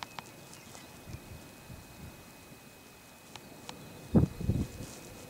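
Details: A single displaying male greater sage-grouse strutting in Malheur County, Oregon, on 18 April 2010, making a quick pair of deep, hollow plops near the end, over faint rustling and a quiet outdoor hush.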